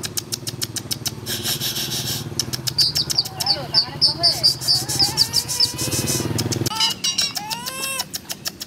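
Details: A tame, captive-bred Javan pied starling sings a busy jumble of clicks, rattles and clear whistled notes, some rising and falling, over a low engine-like rumble and faint voices.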